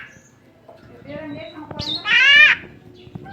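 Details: Tame Javan myna: soft murmured notes building to a loud harsh rasping squawk lasting about half a second, with light background clatter.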